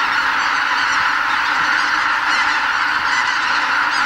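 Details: A huge flock of greater white-fronted geese, around 80,000, departing the roost at a Hokkaido Ramsar wetland before sunrise during their northward spring migration. A continuous layered din of high honking calls at constant volume.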